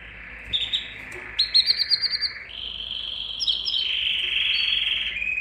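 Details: Canary singing to excite males and females for mating: high rolling trills and sustained warbled tones, with a rapid pulsed burst in the middle and a long steady buzzy trill toward the end, over faint background hiss.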